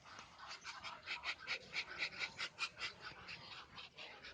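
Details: Muscovy duck hissing: a run of breathy, rasping bursts, about two each second, rising and falling in loudness, with no other clear sounds.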